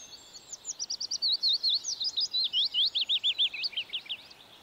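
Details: Willow warbler (Phylloscopus trochilus) singing in the UK in summer: a sweet, tinkling, cascading phrase of about twenty quick slurred high notes, descending like a waterfall over roughly four seconds, more complex than a chiffchaff's song.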